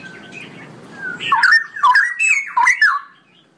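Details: Long ropelan song of a straw-headed bulbul. A soft murmur opens, then loud mellow warbled notes bounce up and down in four quick bursts before trailing off.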